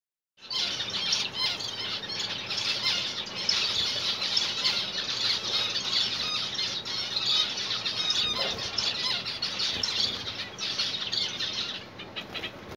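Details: A pair of zebra finches gives a steady stream of high, nasal, toy-trumpet beeps and squeaky chatter.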